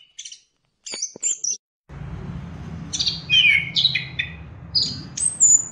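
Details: Orange-headed thrush song played to encourage caged birds to sing: scattered high chips, then clear whistled and slurred phrases over a steady low hum of background noise.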